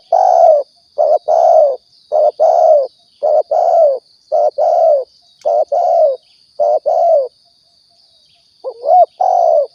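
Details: Spotted dove (tekukur or balam) from Riau, a lure recording used to attract birds for hunting: series of soft, low, rolling coos in short repeated bursts about once a second, with a steady high electronic whine throughout.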